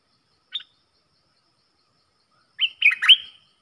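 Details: Caged dok taeng bulbul engaged in a singing duel with wild birds, 3 October 2021: an isolated short chip, then after two seconds a compact burst of clipped, bubbling warbled notes.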